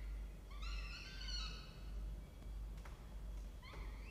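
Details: Peregrine falcons at a nest box in a water tower at a university in Orange, New South Wales, Australia: a drawn-out, wavering, slightly descending whine lasting about a second, a second shorter call later, with low rumble and faint clicks.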